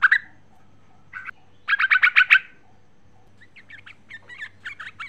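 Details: Female sooty-headed bulbul calling to the male: an opening bubbly note, a short pair, then a fast string of six bright chirps, followed by softer, thinner chattering notes.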